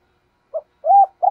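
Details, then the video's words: Spotted dove in 'thúc gù' style, cooing to lure wild doves into answering. A brief soft note is followed by a rounded rising-falling coo, then a buzzy held note that is cut off. "Cu gáy thúc gù nghe rất hắp dẫn, giọng hay bổi nghe rất tức và gáy theo"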